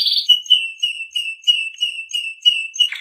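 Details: Canary of the Shant type singing a long, even trill of pure whistled notes, repeated about three times a second at a steady pitch, preceded by a brief buzzy note.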